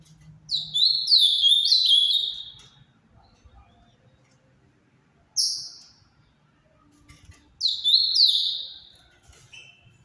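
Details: Song phrase of the azulão do Paraná, ultramarine grosbeak: a burst of falling, slurred whistles lasting about two seconds, a lone high note mid-way, then a second similar phrase starting near the end.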